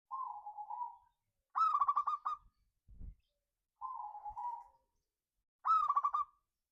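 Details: Local zebra dove lure song in ngayer, kerot and nutut styles: soft wavering hollow coos alternate with loud, fast, rattling stuttered phrases, with a brief low thud between.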